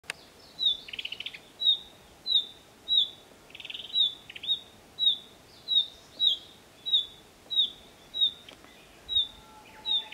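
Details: Female Narcissus flycatcher giving alarm calls: a steady series of short, sharp, high down-slurred notes, about one per second, with a brief rattling buzz near the start and quiet background noise.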